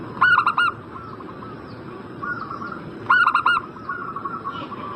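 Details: Used as a lure so a zebra dove in breeding condition answers quickly: two loud bursts of four rapid, stuttering coos about three seconds apart, softer cooing in between, plus faint high chirps and hiss.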